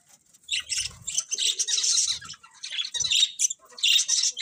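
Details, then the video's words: Budgies squawking and chirping in dense, raspy high bursts, nearly continuous with brief breaks, and a few soft low thumps. "Beautiful Colourful Budgies Chirping Sounds"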